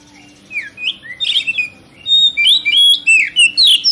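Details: Oriental magpie-robin (kacer) song used to provoke other kacer into singing: scattered whistles and chirps build into a fast, loud sequence of high sliding whistled phrases, several per second.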